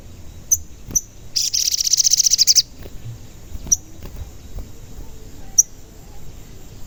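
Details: A sogon, the crimson sunbird, calls in a recording played to excite other sogon. A short, dense, rapid-fire high trill sits among a few single piercing chips.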